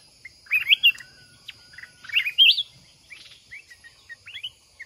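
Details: Red-whiskered bulbul of the mountain form, trapped during a fight contest with a caged decoy: two bright bursts of warbled, slurred whistles about two seconds apart, followed by softer scattered chirps.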